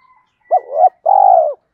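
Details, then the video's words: Spotted dove cooing, a lure recording for training newly caught wild birds in thúc and gáy gọi styles: two quick hooked notes, then one long, buzzy, vibrating coo that slowly falls at its end. Clean, quiet background. "tiếng chim cu gáy tập bổi new, tiếng thúc và gáy gọi"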